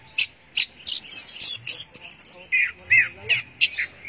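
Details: Teler-style song of an Orange-headed thrush: clipped, bright whistled notes and quick slurred chirps delivered about three per second, some higher and squeaky, others dropping lower toward the end.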